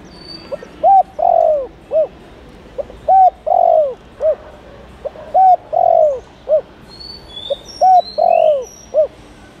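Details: Calling spotted dove used to draw in wild doves, repeating its three-part coo about four times: short hoot, drawn-out quavering descending croo, clipped end note, phrases roughly two seconds apart, faint high chirps of other birds behind.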